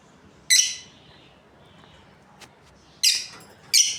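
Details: Australian lovebirds of a breeding pair producing three sharp, high chirps spaced a few seconds apart, with near silence between them.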